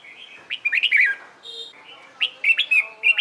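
Red-whiskered Bulbul singing bright, bubbly phrases of quick rising and falling whistled notes in two bursts, with a brief steady tone between them.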